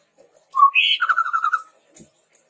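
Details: Chestnut-rumped babbler song meant as a lure for training birds: a low whistle, then a higher note, then a rapid string of wavering, trilled notes that trails off.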